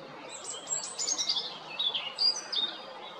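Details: European robin at Jarun, Zagreb, Croatia, 13 April 2022, singing a rippling series of high, fluty, wavering notes with a few sharper accents.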